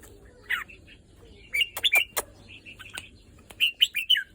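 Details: Red-whiskered bulbul, pent up for days, gives chirpy whistled notes, then fast bubbling phrases of bright slurred whistles, with sharp clicks mixed in.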